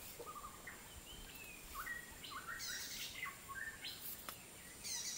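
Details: Scaly-breasted partridge in Thailand's wilderness, recorded May 2019: a run of short whistled notes, each sliding upward, rising in steps over about five seconds, set against steady high insect buzzing and background hiss.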